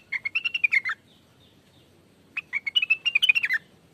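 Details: ['Greater green leafbird, local name cucak wilis, singing for a lure recording: two fast bursts of warbling whistled chirps, the second longer, separated by about a second and a half of quiet.']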